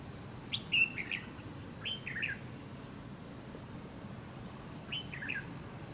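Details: A Red-whiskered bulbul in a bulbul-fighting trap setup, reportedly displaying (fanning), gives three short, bright, warbled phrases a few seconds apart, over a steady high insect whine and low background rumble.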